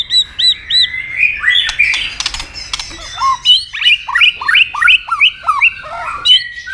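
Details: White-rumped shama fighting song to provoke a rival, double-note style with tail clicks: a few high looping whistles, clicking bursts, then a fast run of repeated down-slurred whistled notes about three per second.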